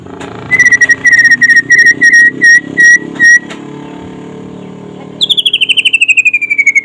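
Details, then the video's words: Trotol-style white-rumped shama song recorded by day to draw other shamas into singing: a string of clipped, evenly repeated whistles, a silent gap over low background hum, then a fast trill sliding steadily downward. "SUARA KICAUAN BURUNG MURAI PASTOL DINLAGI HARI AGAR CEPAT GACOR"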